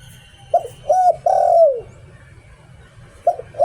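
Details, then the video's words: Zebra dove kept as a decoy bird, cooing in the "liu tan" style: soft mellow coos, a few short notes then a longer drawn-out falling one, repeating after a pause, over a low background hum. "เสียง "หลิ่วตัน" นกต่อ"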